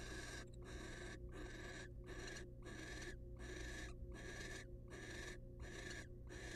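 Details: Wild female barn owl in a monitored nest box, excited by the male's presence, gives harsh broadband hissing bursts about every 0.7 seconds over a steady low electrical hum.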